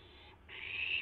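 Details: Barn owl owlet filmed live shortly after midnight on April 12, 2016, while testing its wings. A faint hiss is followed by a single loud, rasping screech of about half a second over a low hum.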